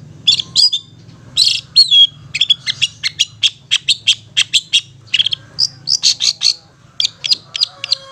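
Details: Long-tailed shrike in rapid continuous "ngetet" song: a scratchy chatter of high chips and whistled notes, packed tightly together with short pauses, over a faint low hum.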